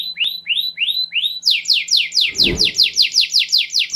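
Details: Canary song played to motivate other birds to sing: rising upswept whistles repeated about twice a second, then a fast run of bright descending trills, with a brief low thump midway.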